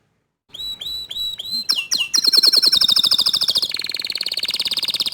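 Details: After brief silence a canary sings: four clear upslurred whistles, then a long, fast, buzzy high trill that stays loud and even to the end. Young canaries responding to a loud-singing canary.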